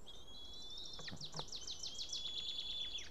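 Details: Male White-tailed eagle at an Estonian nest camera, 8 June 2018 around midday, back at the nest after ringing, having brought a fish and lost it; a rapid run of sharp yelping notes over a long, steady high whistle.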